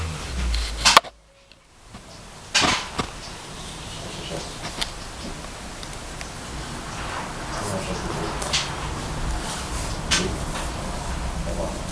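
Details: Steady indoor background hiss broken by a few sharp knocks and clicks and a brief drop to silence near the start, with no clear animal call.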